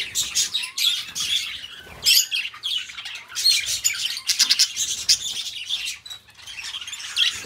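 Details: Pet budgerigars chattering and singing, a dense mix of bright scratchy warbles and short squawks in bursts with brief pauses throughout.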